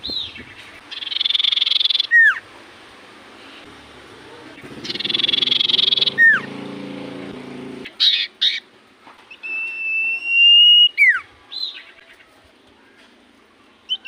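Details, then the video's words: Common iora singing in full voice: two long buzzy trills, each ending in a falling whistle, then scattered short notes and a sustained flat whistle, with a low rumble under the middle section. "Burung sirtu cipoh gacor hitungan detik burung cipoh apapun pasti Langsung nyaut"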